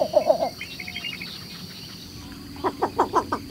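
Least Bittern giving short bursts of three to five quick, soft, low notes, with a steady high insect drone and faint chirps behind.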